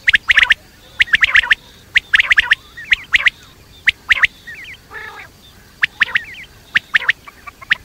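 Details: Night call of quail: sharp, high, clipped notes in bursts of two or three, repeated roughly every second, broken once by a short buzzy, rasping note and a faint wavering trill.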